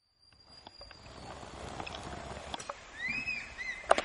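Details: Crested serpent eagle pair calling near a nature camp by Dandeli and Anshi Tiger Reserve, Uttara Kannada, Karnataka, in December breeding season; after handling noises and clicks, two loud whistled, arching downslurred notes ring out near the end.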